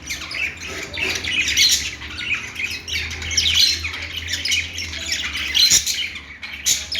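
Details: Budgerigar chatter, a continuous scratchy warble rising and falling in loudness, with a sharp click near six seconds and a low hum in the background.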